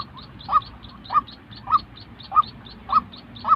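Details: White-breasted waterhen call, genuine bird audio for training newly molted decoys: six strong notes about two per second, with faint higher pips between them.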